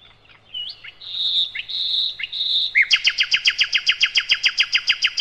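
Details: Nightingale, known locally as sikatan londo, in a master song for tutoring cage birds: long steady high whistles with short slurred notes, then a fast, loud series of sharp repeated notes, several per second.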